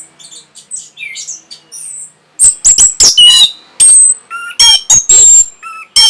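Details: Orange-headed thrush song used to stimulate breeding condition and draw replies: soft high squeaky twitters first, then loud harsh bursts and clear whistled notes in rapid, irregular phrases.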